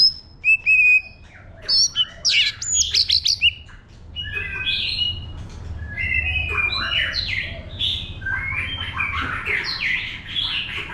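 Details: White-rumped shama performing a wild-type song for stimulating birds, opening with loud clipped whistles and clicks, then a long flowing sequence of varied warbled and slurred phrases.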